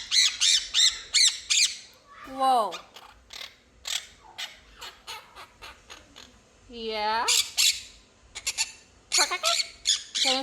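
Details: Quaker parrot kept as a family pet, labelled a talking bird, bursts of rapid harsh chatter broken by two long wavering descending calls, while a woman talks and laughs nearby.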